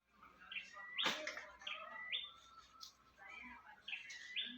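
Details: A wild bird, said to call out "Jokowi", gives clear whistled phrases that step sharply upward in pitch, repeated several times, broken by a loud sharp crack.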